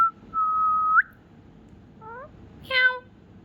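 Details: Rescued ringneck parrot indoors in Ranchi, India, prompted by its owner to imitate a cat: one long steady whistled note with a brief upturn at the end, then a pause and two short nasal, meow-like calls, the second louder.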